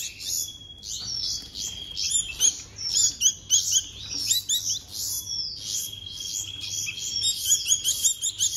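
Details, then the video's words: Baby bulbuls being hand-fed give rapid, shrill, scratchy chirps in eager bursts throughout, over a steady high thin whine. "Hand Feeding Baby Birds - Bulbul Birds"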